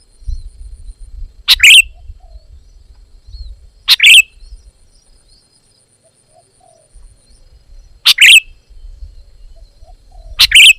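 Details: A sooty-headed bulbul repeats short, loud, bubbly phrases. Four bursts come at uneven intervals of roughly two to four seconds, with soft low background rumble between them.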